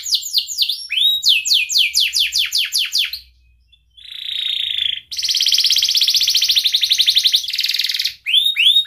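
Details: Canary singing for young canaries learning sound: repeated arched whistled notes about four per second, a short pause, a low buzzy trill, then a long loud rattling roll and fresh upslurs at the end.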